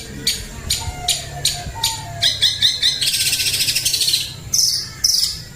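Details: Long-tailed shrike of the type called cendet macan singing: short harsh high notes about every half second, then a fast buzzy chattering trill and two loud rasping bursts near the end, over faint low background hum.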